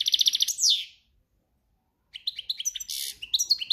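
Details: European goldfinch in breeding condition sings campero-style: a buzzy trill ending in a downslurred note, a second of silence, then fresh twittering with a harsh rasping note.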